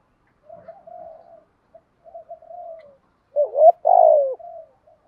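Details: Lure spotted dove cooing to call in wild doves: soft, low, wavering coos at first, then two loud, rounded coos with dipping endings near the close.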